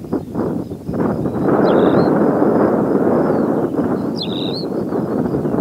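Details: Tawny pipit at Serra do Suído: two short, high, slurred calls about two and a half seconds apart, each dropping then levelling. A loud, steady low rumble of wind or traffic runs underneath throughout.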